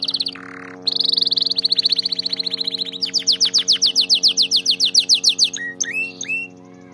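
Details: Tutor song for training canaries to sing, with a fast high buzzy roll, then a slower series of loud pulsed notes repeated about four per second, ending in quick chirps; a faint steady hum persists.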